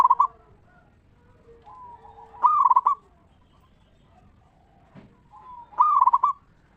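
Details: Lure song of a local zebra dove in the ngeristal style, used to prompt other zebra doves to sing. Bubbling, stuttered coo phrases about three and a half seconds apart, separated by soft, level coos and one brief low thump.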